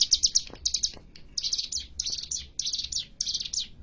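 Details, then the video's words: Ciblek gunung, or hill prinia, delivering varied bursts of song: short groups of two to four high, sharp chirps separated by brief pauses, the groups repeated about every half second. Faint low background noise. "burung cigun atu sering di sebut ciblek gunung gacor fariasi tembakannya"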